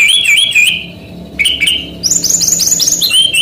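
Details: Male brown-chested jungle flycatcher of Bali, played to tutor young birds: looping whistled notes, a short pause, then a lively series of stepped, rising high whistles repeated several times in quick succession.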